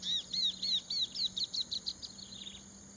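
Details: Rice-field chestnut-capped babbler, Prachuap Khiri Khan, Thailand, 2025. About ten sharp, high, falling whistled notes in rapid succession, slowly getting softer. A continuous high-pitched insect whine sits underneath.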